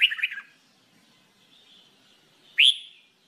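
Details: Red-whiskered bulbul (jambul bulbul) in singing training: a burst of rich warbled notes at the start, a quiet pause, then one loud upward-swept whistled note near the end.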